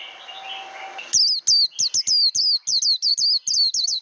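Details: Japanese white-eye in voice training: after a second of muffled background noise, rapid high, sweeping twitters begin and continue in a lively, uneven chatter.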